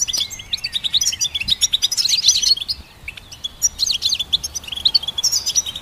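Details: Goldfinch song, offered for training songbirds: rapid, dense twittering of high, liquid chirps and short trills, with a brief lull near the middle before the chattering resumes.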